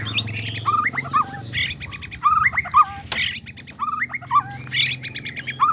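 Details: Mating sound of a white-rumped shama meant to make a male sing: repeated whistled phrases with upswept and looping notes, mixed with quick high chips, over a steady low hum.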